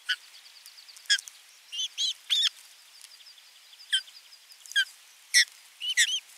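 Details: Osprey delivering a fish to nest 3 on 27 June 2022 and watching the young being fed: loud, piercing whistled yelps given singly and in pairs at uneven intervals over a faint background chatter.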